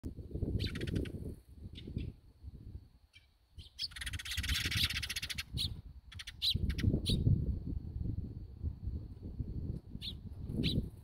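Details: House sparrow at a bird feeder giving short, bright chirps in loose, irregular bursts, over a heavy low rumble of wind and a burst of rustling noise midway.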